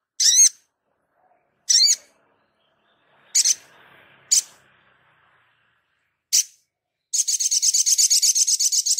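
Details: Sogon singing actively in a tutor recording for training caged birds: five sharp, high, looping chips at irregular gaps, followed by a long fast buzzy trill of evenly repeated pulses.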